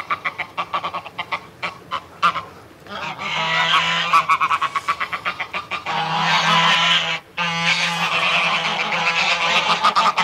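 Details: Adult greylag goose in a threat display giving rapid nasal cackling notes, then long harsh breathy hisses, with cackles running on between them.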